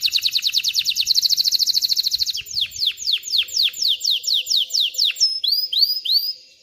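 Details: Male canary song meant to teach chicks to sing and prepare females for mating: a rapid, even trill of bright repeated notes, then slower descending whistled sweeps about twice a second, ending in short rising upslurred notes.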